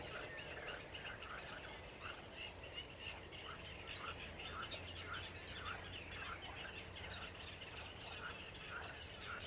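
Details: Sedge warbler singing on 28 June 2021 alongside another bird: a continuous, dense, scratchy chattering warble with quick churring phrases, punctuated by short, sharp, high piercing notes every second or two, over a steady low background hum.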